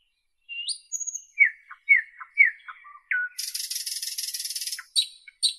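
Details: Nightingale singing a varied phrase: a rising whistle, a run of descending slurred notes, then a long dense buzzy rattle high in pitch and sharp clipped notes, with silent gaps between bursts.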